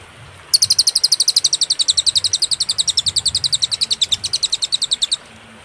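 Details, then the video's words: Cililin singing on a clear, paused master recording for teaching songbirds: a sudden onset of fast, very high, sharp notes forming a steady trill of about four and a half seconds before ending cleanly. "masteran suara, burung cililin suara jernih & berjeda"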